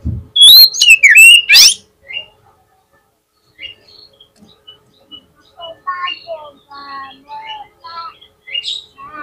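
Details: Oriental magpie-robin lure song meant to provoke a rival magpie-robin into answering quickly: a loud burst of rich, rapidly varied whistles and sharp slurred notes for about a second, then softer, scattered chattering phrases.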